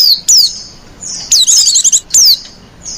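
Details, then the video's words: Female white-eye giving a coaxing lure call meant to attract other white-eyes: thin, high whistles sliding steeply downward, separated by short pauses, with one brief rapid rattling trill in the middle. "Burung pleci betina lenjeh manja pemikat burung pleci"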